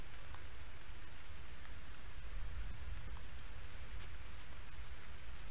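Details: Constant hissing, rain-like noise with a strong low rumble and scattered faint taps from a black stork nest camera at midday, with no animal calls heard.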